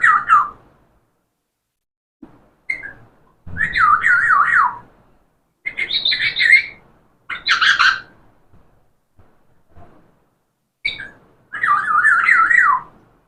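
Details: Talking parrot repeating wavering, warbled speech-like phrases and harsh chirps in about seven separate bursts, some phrases sounding alike.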